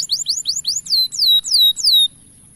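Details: Male canary in full song, used as a model to train young canaries: a quick series of high, sweeping downslurred whistles, about eight notes in two seconds, then quiet.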